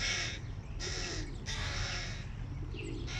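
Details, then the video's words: Hungry hooded crow chicks begging loudly on seeing their father arrive with food: harsh, rasping broadband calls in two long bursts, with a low steady rumble beneath. "Голодные птенцы вороны устроили разнос отцу / Hungry babies create chaos When they see dad with food"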